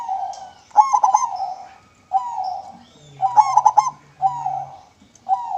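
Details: Song of a local zebra dove, recorded as a lure: smooth coos alternate with quick bubbling staccato bursts, over a soft low hum.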